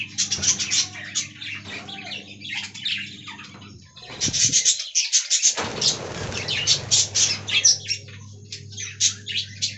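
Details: Budgerigars kept as a colony in an aviary: dense, overlapping high chirps and warbling chatter from many birds, briefly pausing near four seconds, over a steady low mechanical hum.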